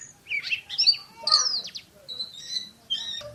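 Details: Oriental magpie-robin, a champion bird, in the 'tembakan' (shooting) song style: scattered sharp whistles and slurred notes at varied high pitches, separated by short pauses.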